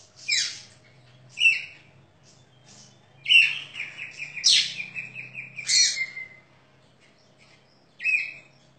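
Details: Caged contest-winning Oriental magpie-robin in daily routine, crystal-clear voice with rich fill-in phrases: sharp high whistles and a long buzzy descending phrase, bursts spaced about a second apart with pauses between.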